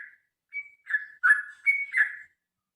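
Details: Short phrase from a sooty-headed bulbul's (trucukan) long fighting song, used to encourage birds to sing: a thin level whistle followed by four rich, warbled notes, the last pair rising then dropping.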